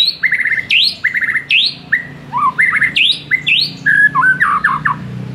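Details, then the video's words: Master track of white-rumped shama song to spark a silent bird: rising high sweeps alternating with short rattled trills in a steady pattern, followed by tumbling lower whistled notes near the end. "MURAI BISU SONTAK NAIK EMOSINYA DENGAR MASTERAN INI"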